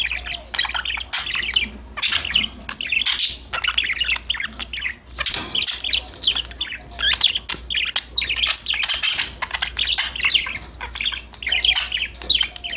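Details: Several budgerigars playing and singing to each other, keeping up a busy, continuous warble of high twittering chirps, squeaks and chattering notes in overlapping bursts over a faint low hum.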